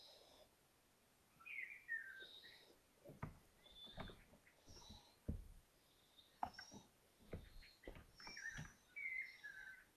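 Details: Five young Little owls explore a balcony after the first tests it for danger. Repeated hoarse, hissy calls and squeaky chirps mix with sharp taps and knocks, likely from the owlets moving about.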